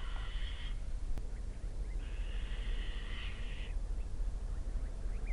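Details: Two fluffy Little owl fledglings, just out of the nest, being fed their evening meal at Kalmthout on 11 June 2022; two harsh, hissing begging screeches, the first brief and the second longer at about 1.7 seconds, over a quiet background.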